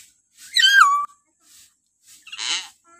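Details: Shrill morning call of a common hill myna, used to prompt captive birds to vocalise: a loud squealing note sliding downward, then a short pause and a harsh, raspy burst.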